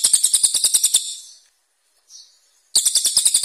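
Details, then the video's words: Cililin training recording for contest birds: a short run of very high, fast repeated chirps, a silent pause with a faint brief note, then another rapid high burst. "CILILIN GACOR tembakan kasar tajam"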